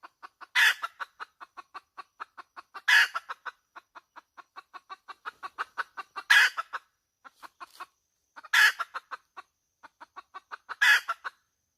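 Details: Hen cackling steadily: long trains of quick, even clucks broken by five loud, grating squawks roughly every two to three seconds, about 26 per minute; no other sounds.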